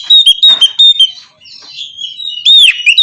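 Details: White-rumped shama song for coaxing a quiet bird into song in the morning: clipped high whistled notes repeated quickly, a softer warbling pause, then a loud looping whistle.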